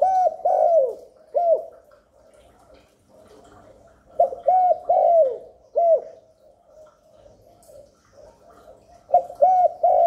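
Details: Spotted dove repeatedly cooing to lure wild doves and stimulate newly kept ones. Low, soft phrases of three to four hollow notes recur about every four seconds with short silences between.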